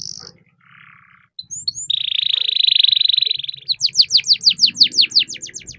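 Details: Persistently singing canary with a long roll, used to coax other canaries into song: a brief buzzy phrase, then a sustained rapid high trill lasting about two seconds, followed by a series of quick repeated descending slurred notes.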